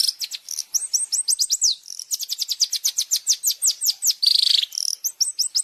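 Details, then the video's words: Long-tailed shrike tutor song for caged birds, made of fast strings of sharp downslurred whistled notes, several a second, broken near the end by a brief harsh rasping burst before the whistles resume. "Masteran Burung Cendet Terbaik 2026 | Full Isian Juara Nonstop"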